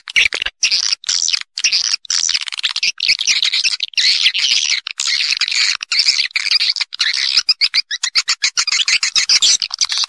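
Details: Roosting lure call of swiftlets (suara inap walet), an original natural recording meant to draw the birds in to roost: a steady, crowded mass of shrill chirps and twitters, almost unbroken, with small pauses throughout.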